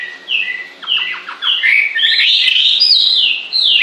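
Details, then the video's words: A bird gives a few level whistled notes and a string of quick downward chips before breaking into a dense, continuous warble that wavers up and down. "Con chim hót suốt nghe mát ruột"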